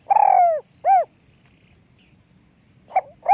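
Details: Long purring coo that tails downward, followed by a rounded arched coo from a small-voiced spotted dove; after a pause a short note and the start of another coo follow, with little else heard.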